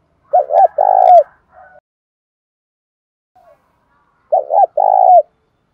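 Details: Two clear phrases from a spotted dove calling so a kept house bird answers; each has two brief notes and a longer coo ending in a downward bend, separated by near silence with tiny faint notes.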